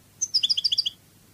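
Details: European goldfinch in the Cádiz song style: a high opening note followed by a brisk run of seven or eight crisp, tinkling double notes, finishing in under a second.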